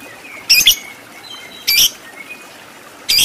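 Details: Lovebird on a training recording for fighter lovebirds with the long 'ngekek panjang' song. Three short, harsh, high squawking bursts are separated by pauses of about a second, over a faint background hiss.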